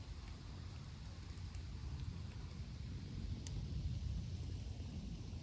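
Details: Deep rumbling noise like wind or distant traffic, with a few sharp clicks, and no animal voices.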